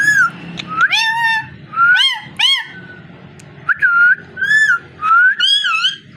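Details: Parrot alternating sharp rising chirps and short falling whistles, with squawky harmonic bursts at the start and evenly spaced whistled notes later; faint low hum in the room.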